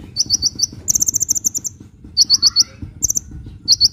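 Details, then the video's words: Sunbird in lively song, used to lure birds and get reluctant ones singing: quick clusters of thin, high chirps and fast buzzy trills, with a soft lower whistled note in between over a steady low hum. "SUARA BURUNG KOLIBRI GACOR‼️ [bisa buat pikat & yg males bunyi"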